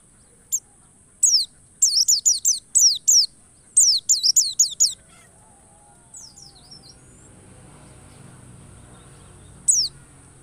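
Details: White-eye lure song meant to provoke other white-eyes into full, emotional, insistent ngalas singing: bursts of thin, high, sharply downslurred notes in rapid clusters, a lone note near the end, over a steady high whine and faint low rumble.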